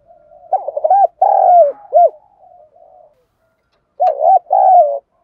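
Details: Spotted dove cooing in the Đồng Pha field voice to provoke other doves: a run of short wavering notes, a long falling coo and a hooked final note, soft trailing murmurs, then the phrase begins again.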